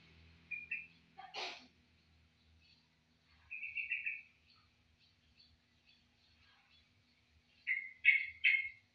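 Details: Caged yellow-vented bulbul (trucukan) of Madura and Tulungagung stock, singing after two days kept in a covered cage: short bubbly warbled phrases, a brief one, a longer mid-clip burst, then three rich rapid notes at the end, with one sharp click.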